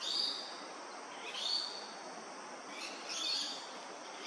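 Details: A male Australasian figbird, preening in tropical sun in Far North Queensland, gives three short, high, slurred whistles, each about a second and a half apart, over steady background hiss.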